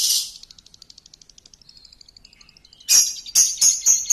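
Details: Song of a champion lovebird, used as a lure: an opening harsh burst leads into a rapid, evenly spaced high trill that slowly fades, then loud scratchy high notes repeated in quick groups.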